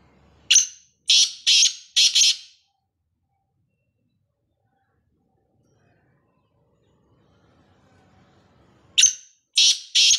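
A black francolin gives a loud, harsh, grating phrase of four rasping notes, then repeats it after a quiet pause of about six seconds.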